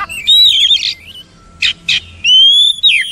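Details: Oriental magpie-robin song for training: a bright sustained whistle, two short harsh raspy bursts, then another long clear whistle ending in a falling note.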